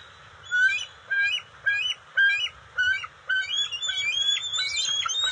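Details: Juvenile bald eagles at the nest during eel and fish deliveries on June 29, 2021, with a scuffle over food: a series of sharp, chirping squeals repeated roughly every half second, building into a denser, higher chatter at the end.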